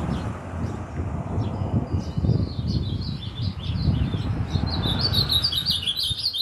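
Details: Frenzied singing of an ultramarine grosbeak: scattered thin high notes early on, then a rapid run of sharp, high chirps in the last seconds, over steady low rumble.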